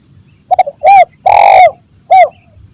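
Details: ["Spotted dove phrase used to lure doves into traps in forest, 'lambung Kuk 1 Mersik' style: quick soft stutter notes, a clear coo, a long rough coo and a closing coo, with a constant high tone."]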